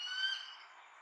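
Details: Single short squealing cry from a bald eagle mother near her Redmond nest, calling to last season's offspring flying high above; a clear, harmonic-rich note that starts strong and fades within a second.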